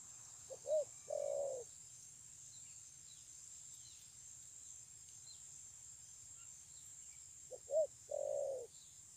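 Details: Spotted dove, 9 June 2020, giving two low three-part coo phrases about seven seconds apart, each closing on a sustained hum; quiet pause between with steady high hiss and low rumble.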